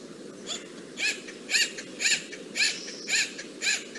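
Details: Acorn Woodpecker of Santa Clara County Parks oak woodlands calling with squeaky, quack-like notes that sound like a squeezed dog toy. Loud harmonic squeaks come about every half second in a regular series over a constant low hiss.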